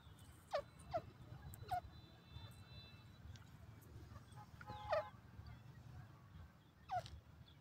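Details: Francolin, known locally as teetar: five loud, abrupt notes, each a sharp downward-sliding yelp. They are spaced irregularly over several seconds, with two close together near the start, over a low rumbling background.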